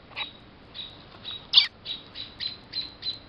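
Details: Alarmed American robin in south-western Ontario, June 2012, defending a storm-downed nest and chick from a cat: sharp, high squawks roughly every third of a second, one louder harsh note in the middle.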